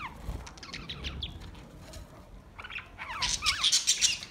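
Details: Budgerigars singing a relaxing song, with scattered warbled chirps early on, then a dense burst of high buzzy, chattering notes in the last second and a half over faint low background noise.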